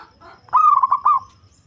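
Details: Single phrase from a local zebra dove with a deep voice, good for luring: a loud run of four or five quick throbbing notes on one level pitch, ending in a short fading tail.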